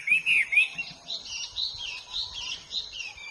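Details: Wild hwamei giving a few clear whistled slurs before softer, more distant warbling phrases continue.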